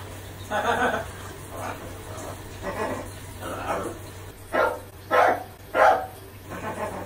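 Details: Macaw imitating a dog's bark learned from dogs barking at it in the park, performed while showering; hoarse, rough bark-like bursts, several spaced notes then three louder harsh barks, over steady hum.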